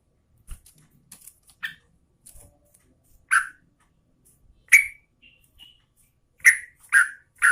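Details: Female sooty-headed bulbul calling to the male: short, sharp chirped notes at a mid-high pitch, scattered irregularly, then bunched in quick pairs and a triplet near the end, with faint clicks and a quiet indoor background.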